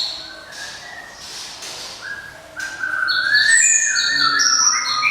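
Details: Java sparrow song. Faint, thin notes come first, then a louder stretch of bright, sliding whistles and high ringing tones that rise and fall in quick succession.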